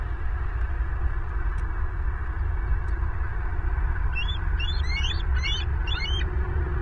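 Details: Bald eagles on a live nest camera in Southwest Florida, 14 April 2023 at 11:02. A quick series of high, thin chirping notes breaks out after four seconds of steady low wind-like rumble. The notes are repeated in clusters and continue to the end.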